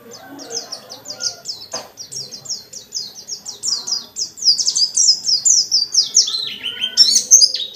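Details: Dakun white-eye singing a rapid run of short, high, downslurred notes, about three per second. The run grows louder and drops in pitch near the end. Its intense song is meant to trigger other white-eyes.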